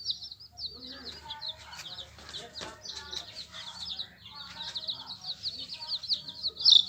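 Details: Young yellow chickens chirp in quick, high peeps while sharp tapping and clicking sounds punctuate the chorus, ending in one louder, piercing cheep.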